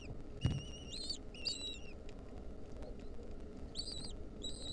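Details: Nestling lesser kestrels, wild, 2023, fed a mouse by the female; short wavering whistled calls in scattered pairs, with thumps and low rumbling noise between them.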